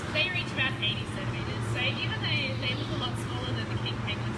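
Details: Captive King penguins at SEA LIFE Sydney Aquarium at feeding time give repeated warbling, trumpet-like calls with a quavering pitch, used to communicate, each bird's voice different, over a low machinery hum and human voices.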